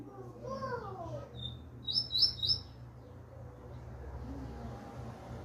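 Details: Double-collared seedeater, a young bird coming out of moult, gives a short phrase of three quick, sharp, high twittered notes after a soft high note. Low sliding voice-like sounds come first, and a steady low hum runs underneath.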